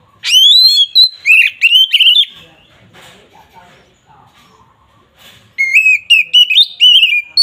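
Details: Agitated Oriental magpie-robin song used to rile rival males: two bursts of loud, sweet whistled and slurred notes, separated by a few seconds of faint, quieter chatter in the background.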